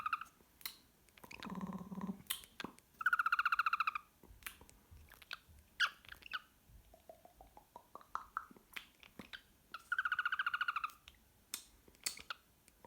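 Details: Pet cockatiel singing indoors: bursts of rapid, buzzy pulsed notes with rich harmonics, separated by sharp clicks and taps, a soft run of rising whistled notes midway, and a low rough murmur early on.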